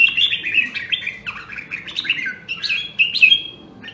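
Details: Red-whiskered bulbul, a rare Nam Đông, Huế voice, training its fighting song: a continuous chattering stream of clear whistled notes that slide up and down, rich and lively throughout.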